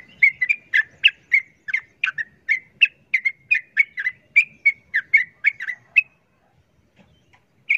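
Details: Noisy sooty-headed bulbul provoking a wild bird with fast, lively chirps repeated about four per second for six seconds, then a pause and one final chirp.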